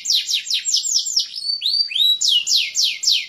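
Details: Singing Timbrado canary with a strong, fierce song: a series of loud high down-slurred whistles, each about a quarter second, interrupted by two rising swoops, then more sweeping notes.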